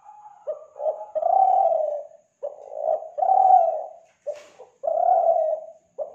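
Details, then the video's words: Spotted dove from Kelantan, a recording meant to lure doves. Steady low coo phrases with short choppy notes and longer drawn coos, plus one brief sharp click in the background. "Pancingan Suara Burung Tekukur Kelantan"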